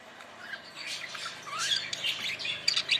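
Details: Budgerigar warbling with squawky, chirping notes that rise in intensity, overlapping busy chatter that ends in sharper, louder chirps.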